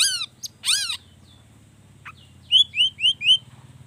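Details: Long-tailed shrike performing to provoke other shrikes into song: two loud downward-arched calls, a quiet gap over a low hum, then four clear rising whistled notes about every third of a second.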